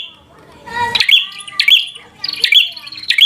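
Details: Fighter-style prenjak (prinia) song meant to anger a rival bird: three loud chirping bursts with snapping clicks, about one every second, after a murmur of low background noise.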